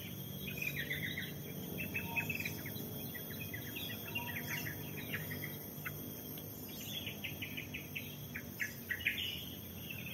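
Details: Birds singing in forest at Pos Yellow hiking post on Lorokan, Pacet: bursts of quick repeated chirps and twitters, one lower whistled note, over steady high insect buzzing and soft background noise.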